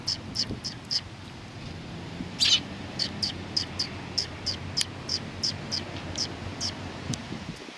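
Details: A group of sparrows gathers at a Tenmangu shrine on 19 September 2020, coming to be fed. Brief, high chirps repeat steadily, roughly two per second, with one louder, harsher note midway over soft low rumble.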